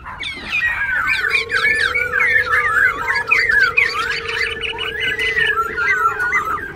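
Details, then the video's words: Caged White-cheeked laughingthrush, a strong singer that also dances, pours out a fast unbroken jumble of loud whistles and chattering phrases leaping in pitch, over a steady low hum; white-cheeked laughingthrush. "Khướu Bạc Má Bổi Lỡ Hót"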